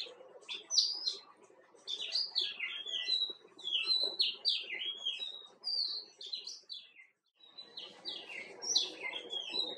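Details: White-cheeked bulbul, also called Himalayan bulbul: busy chatter of short, bright, slurred notes, rising and falling, repeated quickly, with a brief pause near seven seconds, over faint low background noise.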